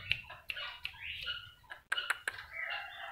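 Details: A local black-naped oriole being tamed by frequent teasing gives harsh, nasal, rasping calls in a rapid series, punctuated by sharp clicks or taps.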